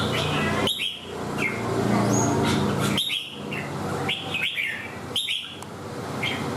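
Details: Red-whiskered bulbul in "xòe ôm cóng" singing: repeated bubbly whistled phrases, each opening with a sharp note and slurring up and down, roughly every one and a half seconds, partly masked by heavy broadband noise.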